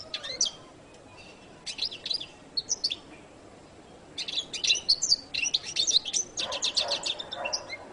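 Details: A few thin, high chirps from a goldfinch, then a quiet gap, followed by rapid bright twittering phrases and short buzzy notes.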